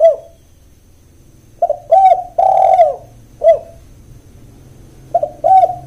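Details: Repeated cooing from a spotted dove in 'kuk 1' lure style: a short note, then paired coos, a long resonant coo and a crisp final note. A fresh phrase begins near the end over a faint low hum.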